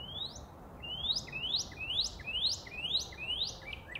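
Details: Northern cardinal delivering clear slurred whistles that sweep upward, about two per second, evenly repeated phrases over a soft steady hiss.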